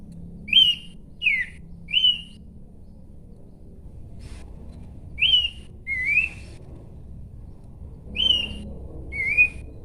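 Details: Horsfield's babbler song: bright whistled notes, some rising and some falling, delivered in groups of two or three separated by quiet gaps.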